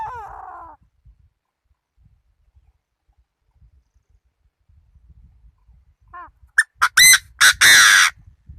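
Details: Decoy Chinese francolin: after six seconds of near silence with faint low rumbles, a soft short note leads into a burst of loud, harsh, ringing notes, the last two long and rasping.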